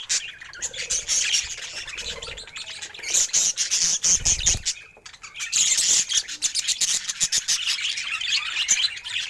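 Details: A budgerigar, said to be happy, chattering in a busy stream of raspy, high chirps and buzzy trills, broken by a short lull near the middle before the chatter resumes.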